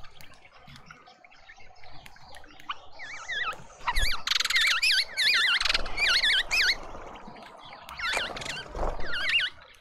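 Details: A lively group of mousebirds in a Pretoria garden, South Africa, trades many wavering whistles and dense buzzy rattles in overlapping bursts, quieter between, with a final run of whistles.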